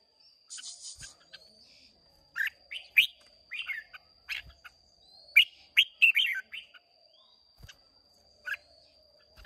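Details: Newly caught Red-whiskered bulbul from Hòa Bình in a singing duel, 30 May 2023: clusters of quick, sweet warbling notes separated by silences, with a few soft knocks and a steady high background whine.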